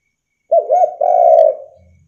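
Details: Vigorous spotted dove calling, used as a lure to provoke other doves into answering: two quick wavering low coos followed by one long, steady, drawn-out coo, with silence around it.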